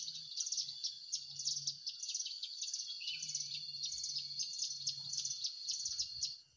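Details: A Hill prinia, recorded while birds were being trapped at Cigun, gives a high, rapid chattering call in quick bursts about every half second, over a steady high hiss and a low hum.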